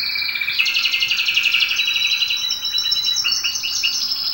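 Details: Domestic canary sings a continuous, high, rolling song of fast trills and buzzy notes, with short repeated chirps toward the end; a song used to teach and warm up other canaries.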